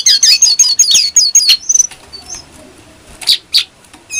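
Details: Lively brown-throated sunbird with a clear voice, a training lure for captive songbirds: a rapid run of very high, sharply slurred chirps for about one and a half seconds, a few isolated whistles, then three louder piercing notes.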